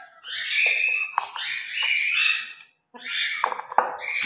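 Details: Morning routine of two captive grey parrots: a continuous wavering whistled warble and scratchy chatter, a brief pause, then more squawky calls.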